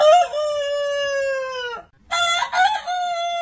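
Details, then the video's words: Long rooster crow: a steady, drawn-out ringing tone held for nearly two seconds, then tapering off. After a brief pause, a second crow starts with a rough burst and settles into a held note. "Suara Ayam Berkokok Panjang Ayam Jantan Berkokok Rooster Crowing Rooster Sound"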